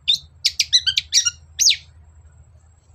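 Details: Brief, varied chatter from a long-tailed shrike lure recording: squeaky notes, short whistles and a falling slurred call crowded into one second, then quiet.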